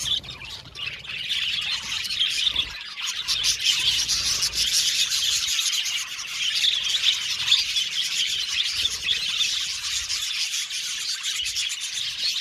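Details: Colony of budgies in an aviary chirping steadily, quieter at first then a full, busy chorus of high warbling chirps and squeaks from many birds.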